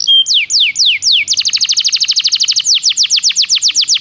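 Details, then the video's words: Belgian canary singing as training material: three slow descending slurs lead into a fast, even rattle of short notes, followed by louder, wider sweeping downslurs repeated about four times a second. "O canto do canário belga fascina muitas pessoas"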